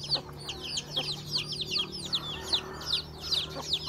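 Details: Chickens at home eating breakfast, with roosters and hens present; dense high, downward-slurred peeping notes repeated rapidly, about two or three a second, over a steady low hum.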